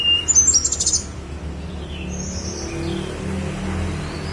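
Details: Snowy-browed flycatcher singing on Mount Songgo Langit: a brief burst of thin, very high twittering notes in the first second, then quieter wisps over a low background hum.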